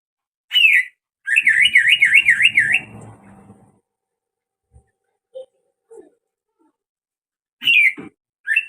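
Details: Greater green leafbird giving an unusual call: a sharp whistled note, then a rapid wavering zigzag trill rising and falling about ten times over a second and a half, followed by low rough chatter, scattered faint clicks and two more sharp whistled notes.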